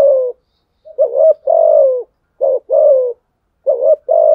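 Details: Spotted dove fighting coo meant to stir wild males: three phrases in quick succession, each a wavering upslurred note followed by a longer, hoarse, slightly falling coo. Nothing else audible.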